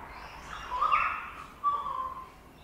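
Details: A currawong building a nest early in the morning above a Sydney birdbath gives two ringing, clear notes about a second apart, the first slightly rising and the second steady and mellow, over faint background hiss.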